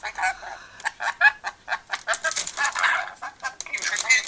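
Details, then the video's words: Pet rainbow lorikeet chattering and laughing, dense harsh squeaky syllables in quick succession, with a woman's voice speaking softly afterward. "the rainbow lorikeet chatting"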